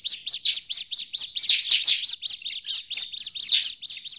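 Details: Bar-winged prinia agitated call used as a lure in forest: evenly paced, very rapid high chips forming a bright chattering rattle throughout.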